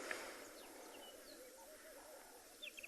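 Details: Ring-necked (Cape turtle) dove (Streptopelia capicola) gives low, rolling coos from the side on an afternoon safari in a South African game reserve, 14 December 2020, with laughing doves drinking nearby, thin high chirps from other small birds and soft outdoor ambience.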